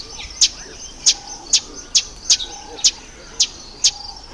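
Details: Red bishop in the October–November breeding season, when males turn black and red and nest in reeds over water; sharp, high chips repeated about twice a second, eight in a row, over a faint steady background hiss.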